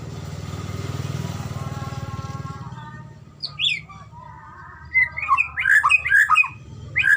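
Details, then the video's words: Medan-type white-rumped shama in a recording used to train shamas to sing: a low droning hum fills the first seconds, then sharp high whistles and quick warbled phrases break in. "masteran burung murai batu..! terapi Murai batu cepet gacor..!!"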